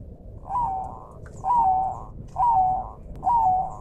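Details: Bangkok zebra dove, a captive training recording, repeating a soft rising-then-falling cooing phrase four times, about once a second, over a steady rushing backdrop of river water and forest sounds.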